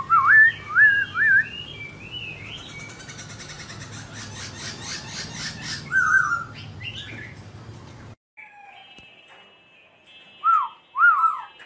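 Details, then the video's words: Dancing as it sings, a laughingthrush produces quick zigzag whistled phrases, then a rattling, noisy passage, then a quiet pause before two more short looping whistles. "Khướu Muá Hót Như Thế Này Đạt Chưa Anh Em"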